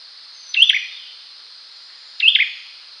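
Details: Olive-backed sunbird calling: two short, sharp chirped notes about 1.7 seconds apart, each a quick high twittering burst, over a steady high hiss.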